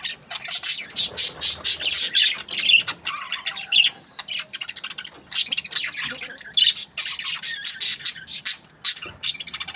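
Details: Happy budgies in breeding season giving rapid strings of short, bright chirps, many separate clicks and squeaks in fast succession, with brief lulls between bursts.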